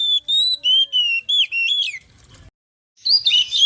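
Oriental magpie-robin singing a quick run of five clear, high whistled phrases, then a short pause and a scratchier, chattering burst.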